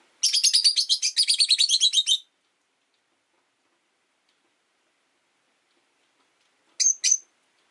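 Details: Rosy-faced lovebirds in a cage near a window, five birds in all, rain outside, one orange-faced bird vying for perch position: a rapid run of about two seconds of harsh high chirps, then silence and a short double chirp near the end.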